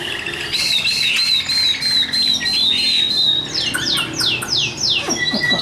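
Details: Newly arrived caged Chinese hwamei singing at close range; a long wavering whistled phrase, followed by a series of loud, rapid down-slurred notes repeated about three a second.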